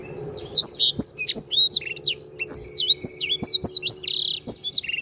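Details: Canary in full voice, captured to tutor other songbirds: a continuous, lively stream of very high, twisting whistles and short trills for five seconds, with occasional soft clicks and a low background hum.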